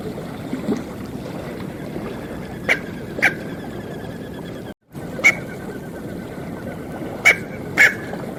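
Smew giving short, sharp yelping notes, singly or in quick pairs every couple of seconds, over a steady background hiss.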